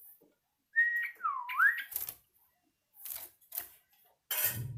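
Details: One swooping whistled phrase from a Yellow-vented bulbul learning to sing, dipping then rising, followed by knocks and a burst of handling noise.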